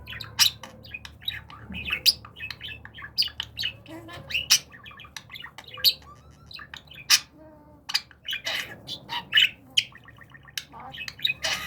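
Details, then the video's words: Pet budgerigar during a talking-training session. Dense, fast chatter of sharp chirps, clicks and squawky notes in quick irregular bursts, with a few brief louder peaks and quiet indoor background. "Konuşan Muhabbet Kuşu"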